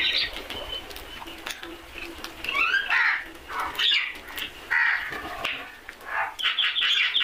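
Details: Several loud, raspy crow caws in separate bursts about a second apart, over a background of other birds giving sharp chirps and a rapid, descending twittering series.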